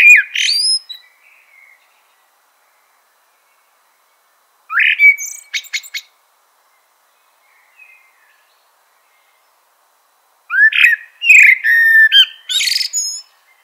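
A blackbird gives bursts of clear, fluty whistles ending in high, squeaky twitters, with quiet pauses between.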